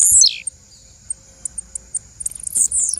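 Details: Female blue-black grassquit giving one loud, harsh descending buzz at the start, then scattered sharp high ticks that build toward another buzzy burst near the end, over a persistent high whine.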